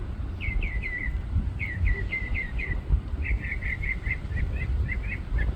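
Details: A bird sings from a treetop above a parking lot: sets of three or four repeated slurred whistles, then a faster run of short repeated notes, each phrase type changing. A constant deep traffic hum runs underneath.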